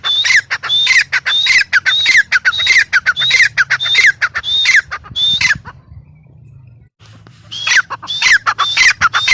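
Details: Harsh, fast grey francolin (teetar) calling: repeated rasping phrases, each with a high whistle falling in pitch, for nearly six seconds, a short silence, then the same loud series again over a low hum.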